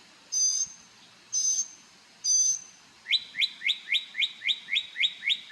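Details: A bird sings as it dances one morning on Marco Island, Florida: three high, steady whistles, then a fast run of about ten rising notes.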